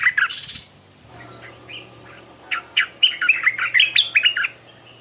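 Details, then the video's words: Stripe-throated bulbul at dawn hours: a strong opening note cluster, a quiet stretch with a faint whistle, then a cheerful, fast series of bubbly, up-and-down notes for about two seconds over a steady low hum. "เสียงนกดอกแตงEp.142 กินกาแฟฟังเสียงนกต่อเจ้าตัวเล็กยามเช้า(Stripe-throated Bulbul)"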